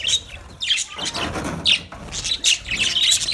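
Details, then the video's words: Colony of budgerigars chirping: short, bright, warbled notes rising and falling, several birds calling over one another in quick succession. "Budgies Parrot colony | Budgies chirping sounds"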